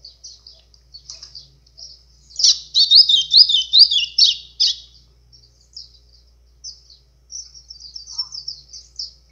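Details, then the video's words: White-throated seedeater singing an azulão-style song with a call to excite other birds. High, fast twittering phrases, a loud rolling warbled burst in the middle, then softer quick chirps. "GOLINHA CANTO AZULÃO"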